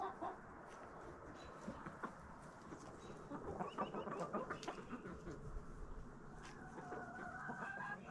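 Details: Backyard chickens pecking at a fall Halloween pumpkin treat, with scattered soft clucks and pecking taps amid outdoor hiss, then a thin, wavering drawn-out call near the end.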